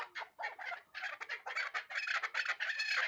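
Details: Hybrid chukar partridge calling loudly in fast, harsh bursts, clustered chuck notes running together into an excited, rasping chatter.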